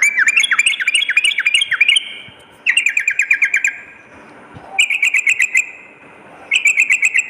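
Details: Sooty-headed bulbul, recorded as lure and tutor song for morning and night: a swooping, rising-and-falling phrase, then three bursts of rapid, even chirps with quiet gaps between them.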